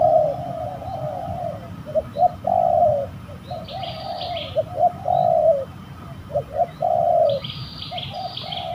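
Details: Fighting spotted doves at a bird-trapping site in an eerie location: bursts of mid-pitched coos, some long and rough and others short and clipped, separated by brief gaps, with faint higher chirps from other birds.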